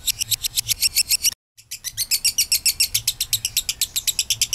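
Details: Lovebird giving a long ngekek trill, played as a lure to get other lovebirds singing: fast harsh chattering notes about five per second, a brief break near the middle, then the rapid chatter resumes without slowing.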